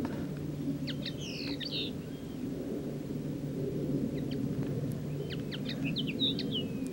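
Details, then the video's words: A common linnet sings two short bursts of quick, twittering notes, light and varied, over a steady low rumble of background noise. "Linnet song"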